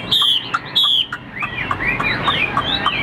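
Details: Rich whistled song from a caged Chinese hwamei offered for sale, described as a strong singer with a large build: two long descending whistles open, then quick looping notes with short clucking accents between them.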